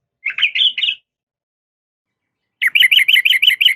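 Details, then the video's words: Yellow-vented bulbul female calling a male: a short, warbled phrase of three slurred notes, then after a pause a steady series of about seven quick, evenly spaced chirps. "suara trucukan betina memanggil jantan"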